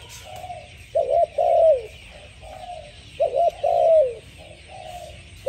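Spotted dove cooing in soft, low phrases: a quick double coo followed by a longer, drawn-out falling coo, repeated about every two seconds.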